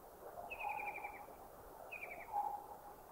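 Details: Thai white-throated kingfisher giving two quick descending rattled trills about 1.4 seconds apart. Each trill is made of rapid chattering notes. Lower, drawn-out whistles from other birds sit underneath.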